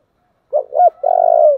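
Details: 'Thổ'-style calling coo from a spotted dove: two brief mellow hoots run into a long, trilling, purred note. Clean, with no other sounds.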